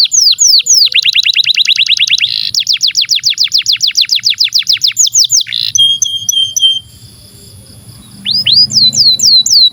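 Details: Canary song for training young canaries and silent birds: a dense rapid roll of repeated high notes, then swooping whistles and a faint trill, a brief pause, then more looping whistled notes.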